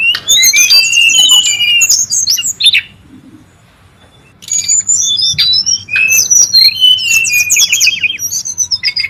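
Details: Brown-chested jungle flycatcher heard in the wild, busy lure and tutor song: dense, tumbling high whistles and chirps for nearly three seconds, a brief silence, then another long run of varied twittering phrases.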